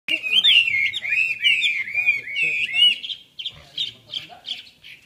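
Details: Red-whiskered bulbul at a bird club session in Long Bien, 27 April 2014: bright warbled phrases, rapid rising and falling notes run together for three seconds, then shorter separated chirped notes with brief pauses; faint low background noise.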